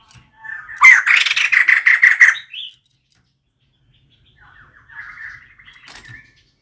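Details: Female white-crested laughingthrush calling, recorded for use as a decoy call; a loud rapid chattering burst of harsh notes lasting about two seconds, then a softer, shorter chattering series after a pause.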